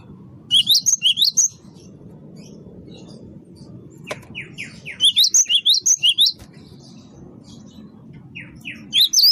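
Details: Gelatik batu wingko, the great tit, singing hard as a lure for catching birds. Three bouts of rapid, piercing two-pitched notes, six to eight per bout, are separated by soft downslurred chirps.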